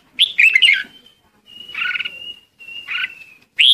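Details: Red-whiskered bulbul flock call: a warbled burst, then two buzzy chirps each drawn into a level whistled note, and a final sharp bright call.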